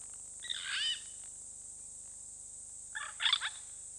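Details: Purple Rollers, a pair, at Hyena Pan in Botswana's Okavango Delta, recorded by a webcam: two loud, grating, broadband squawks about two and a half seconds apart against constant hiss and low hum.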